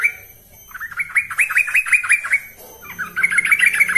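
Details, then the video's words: Bulbul lure song for training birds, yellow-vented bulbul giving a run of quick, looping chirps that rise slightly, a short lull, then a denser burst of chatter. "Ini Baru Pancingan Trucuk Sesungguhnya || Burung TRUCUKAN GACOR"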